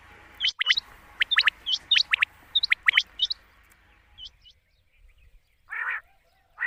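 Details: Quail call at night, used to lure quail for hunting during the monsoon season: short groups of two or three sharp, high clicking chirps repeated over three seconds, then fainter notes and two brief noisy bursts.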